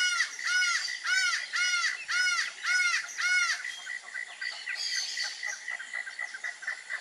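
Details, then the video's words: Acauã or laughing falcon giving its bad-omen song of Brazilian folklore: six strong, arched, ringing notes in quick rhythm, then the calls stop while faint chirps of other birds and steady insect pulses continue. "ACAUÃ e seu canto de mau-agouro"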